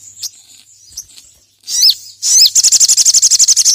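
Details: Little spiderhunter (sogon) calling a rival on a training recording: soft high notes, two swooping squeals, then a rapid, evenly pulsed high trill of about fifteen notes running to the end.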